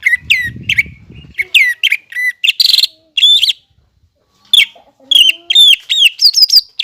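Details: Greater green leafbird in chattering 'gacor' song, played to make untrained birds sing quickly: varied sharp whistles and a harsh buzzy burst, a pause, then rising and falling whistled notes ending in a rapid high series, with low noise early.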